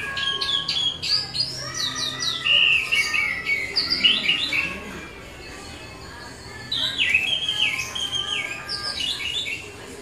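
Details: Orange-headed thrush in continuous rolling ngeroll song: bursts of rapid whistled slurs and chirps, a brief lull near the middle, then another lively run of downslurred notes.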